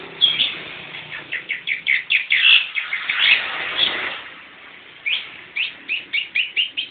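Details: Newly caught young long-tailed shrike delivering a rapid series of short rising chirps that swell into a dense scratchy burst, then a quieter gap before about eight evenly spaced chirped notes close the phrase.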